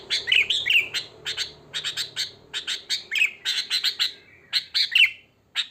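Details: Wild sooty-headed bulbul in natural song, a recording meant to lure bulbuls: a lively run of sharp chirps and liquid warbled notes, rapidly repeated, over a faint low hum.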